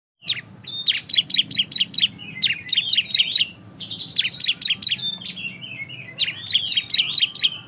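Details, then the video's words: A loud, lively cisem sings to prompt other birds into song: fast bursts of sharp, high, descending chirps in rapid runs, broken by brief pauses and thinner twittering notes between phrases. "Cisem gacor suara ngebren lantang untuk pancingan biar bunyi"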